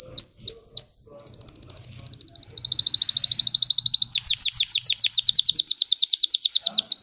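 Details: Singing Russian canary, a breed whose song holds many high-toned variations: three quick upswept whistles, then a long rapid trill, then a lower rolling trill, finishing with a string of sharp downslurred notes repeated about six per second.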